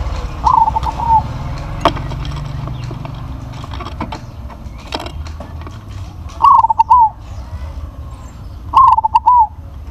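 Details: Crossbred zebra dove with a big voice, singing three separate phrases spaced several seconds apart. Each is a short burst of rapid coos finished by a longer falling note, amid low rumble and occasional clicks.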